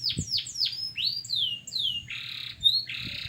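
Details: Local canary singing as a tutor (masteran) recording: sharp downswept whistles and rising slurred notes, then dense buzzy bursts and a bright short whistle, over a faint low hum.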